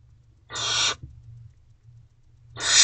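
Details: Barn owl owlets inside a nest box late at night on 3 May 2023 while one sibling feeds on a mouse; a loud breathy screech-hiss, then another beginning two seconds later, steady low hum behind.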